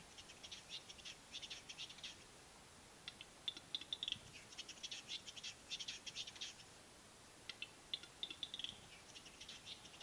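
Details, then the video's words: Capercaillie lek in East Lapland, Finland, spring 2022: long runs of sharp, dry clicks and rasping scrapes come in irregular bursts over roughly ten seconds against a calm background. "Metson soidin"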